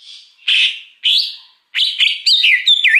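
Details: Short rasping notes, then wavering and twisting whistles from a wild greater green leafbird, its song used as a lure to attract wild birds.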